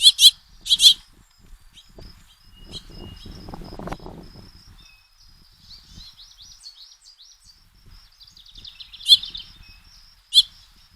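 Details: House finches, a male feeding at least four begging fledglings of the year's first brood, recorded by trail camera: loud harsh chirps in pairs at the start and end, a thin twittering chatter between, and low rustling noise in the middle.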